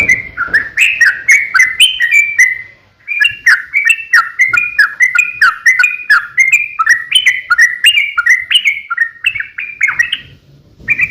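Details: Sooty-headed bulbul in combative ropel song, a long lure for getting other bulbuls to sing. Lively, pulsing chirps rise and drop in pitch almost without break, with one short pause early and a near-silent gap just before the end.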